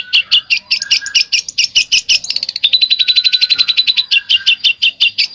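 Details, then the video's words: Fast besetan chatter from a bird: a long run of dry buzzy high pulses, speeding into a rapid rattling trill midway, with a faint low whistle behind. "SUARA BURUNG BESETAN"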